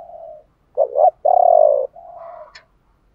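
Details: Spotted dove cooing, male and female, in the chiêu ba hậu style, used to stimulate other doves to sing; broken, mid-pitched hollow coos with a short rolling burst and a soft trailing phrase.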